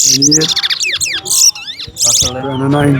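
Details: Chestnut-bellied seed finch, called towa towa, competing in a singing race at Alligator Park, giving bright rapid bursts of high swooping and trilled notes, broken by short pauses, over voices of onlookers.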